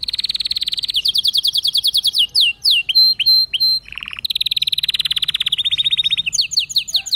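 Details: Canary song in a continuous stream: fast repeated trill notes, a few downward-slurred whistles and steady high tones, a short lower buzz, then long rolling trills again.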